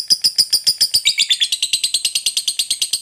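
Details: Lovebird ngekek, the long chattering song used to spur other birds to sing: quick string of shrill, evenly spaced chirps about seven per second, shifting lower and harsher after one second and continuing steadily.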